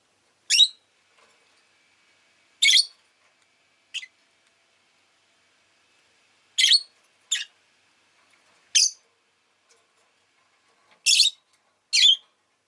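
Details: Rosy-faced lovebird giving sharp, harsh, high chirps, eight short bursts spaced irregularly one to four seconds apart, with silence between them.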